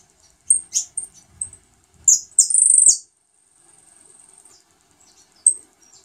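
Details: Saffron finch feeding its new brood of chicks: very high, thin chirps in quick bursts, then a longer buzzy, rasping note near the middle and a faint soft twittering afterwards, with one more sharp chirp near the end.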